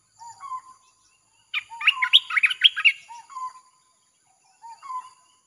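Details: Red-whiskered bulbul in rapid 'chopping' song, played to attract wild birds; soft low sliding whistles frame a loud central run of quick, bright, jumbled chirps.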